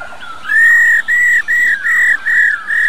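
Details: Female black-throated laughingthrush giving the "ro" call used to fire up male birds. Six strong, flat, buzzy whistled notes repeat in quick succession after a soft lead-in, with faint background hiss.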